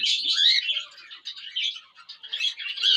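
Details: Pet cockatiels giving continuous scratchy, buzzy chatter with short whistled rising squeaks mixed through it, steady and high-pitched throughout.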